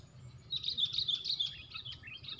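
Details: Squabbling sooty-headed bulbul, one bird facing four rivals, pours out a fast, scratchy stream of high twittering and squeaks for nearly two seconds, with a faint low hum underneath.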